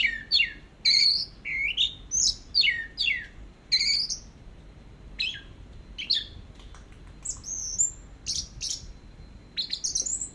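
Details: Teler-style orange-headed thrush, for a long-duration masteran: loud separated bursts of varied notes. Steep downslurred chips, buzzy scraps and high thin whistles come in clusters with short pauses between them.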